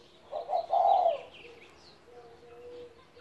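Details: A 17-year-old pet spotted dove gives one low cooing phrase: two short soft notes, then a longer, steady, hollow coo. Faint high chirps from other birds sound in the background, followed by a quiet low hum.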